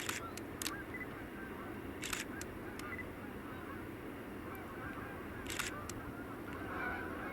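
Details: A flock of geese in November 2021 near Lansing, Allamakee County, Iowa, keeps up a steady, overlapping chorus of honks from the background. Sharp camera shutter clicks and quiet voices are nearby.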